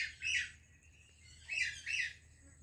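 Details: Greeting call between an Indian parrot and a Pakistani parrot: one grating squawk, a short pause, then two more harsh squawks in quick succession.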